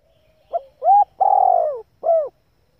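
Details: Coo phrase of a female spotted dove, used to excite males and train newly caught birds: a brief opening note, an upward-swooping coo, a drawn-out descending coo and a closing falling note, in a quiet setting.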